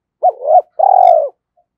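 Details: Single spotted dove phrase used to stir a decoy dove into calling: a short rising coo joined to a swelling note, then a longer, deep, rolling coo.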